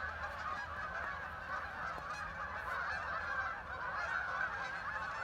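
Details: Ducks by the thousands flying and settling on the water at Hockanum River Linear Park in Vernon, Connecticut, producing a loud, continuous chorus of harsh overlapping calls.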